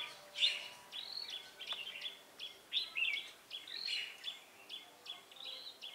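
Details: Red-whiskered bulbul, a wild bird from Hòa Bình, during decoy trapping on 18 November 2017: bright warbled phrases, rising and falling, repeated about every second over a steady hiss of background noise.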